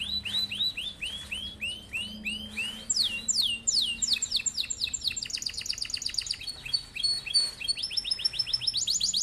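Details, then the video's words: Long rolling canary song, used to prompt and teach other birds: a run of arched whistled notes speeding into rapid descending slurs, then fast rolling trills and high repeated phrases, with a low hum beneath. "Kenari gacor cocok buat pancingan atau masteran burung"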